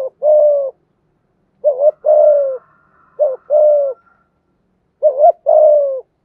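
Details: Spotted dove delivering calling, urging and cooing phrases aimed at stimulating other doves; strong low coos in pairs, a quick wavering note then a held falling tone, repeated about every one and a half to three seconds.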